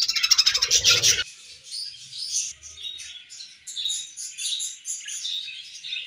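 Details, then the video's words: Happy budgerigars chirping, opening with a loud, harsh burst of rapid clicks for about a second, then a softer run of varied warbled chirps and short whistled notes. "Happy Budgies Sounds"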